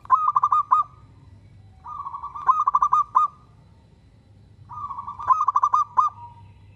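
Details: Zebra dove of a local Indonesian line singing keenly and inviting replies from other doves. Three long phrases each mix a purring trill with loud stuttered coos, spaced about two and a half seconds apart. A gentle low rumble is also audible.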